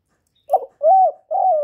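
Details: Spotted dove cooing in the Vietnamese "gọi, thúc, gù" style. A short husky note is followed by a smooth, rising-and-falling coo, then a longer level coo that fades out. There is no other sound.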